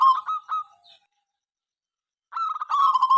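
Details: A local zebra dove in persistent song, said to stir rival birds into singing. The end of one stuttering coo phrase, a pause of over a second, then a fresh run of quick notes swelling into a rolling coo.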